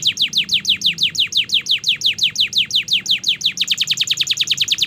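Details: Canary singing a continuous 'gacor' master song: steady, evenly spaced descending whistled sweeps, about four per second, speeding into a tighter run at the end.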